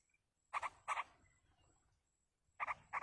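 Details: Yellow-vented bulbul young are fed by a parent in the wild, giving paired harsh, buzzy notes, a pause of about a second and a half, then another pair, with a faint high whine throughout.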